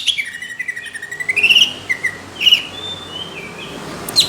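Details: Greater green leafbird in competition-quality song, rough and thick in delivery: a fast twittering run, then loud slurred whistles and a few drawn-out, falling notes with pauses between them.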